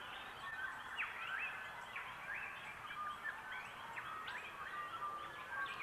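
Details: Several grey shrike-thrushes across an Australian landscape as the dawn chorus abates, all synchronized on a newly adopted shared phrase: clear, rich whistled phrases with rising and falling notes over a soft background hiss.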